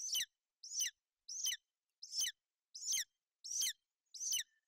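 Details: At a Bucovina nest on 28 May 2021, a female golden eagle shelters and preens her chick in bad weather while the chick chirps. Seven thin, high chirps fall in a steady series, roughly one every 0.65 seconds.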